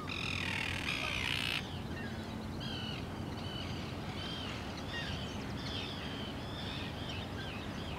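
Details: Arctic tern at Lake Ontario, Canada, opening with one loud, harsh, drawn-out grating call lasting over a second, followed by many faint, short, squeaky chevron-shaped notes repeated rapidly over constant low background noise.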